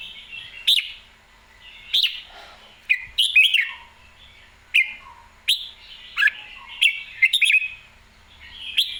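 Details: Red-whiskered bulbul in excited, clear song repeats short bright warbled phrases about once a second. Clicky onsets lead into falling slurs over a calm, quiet background.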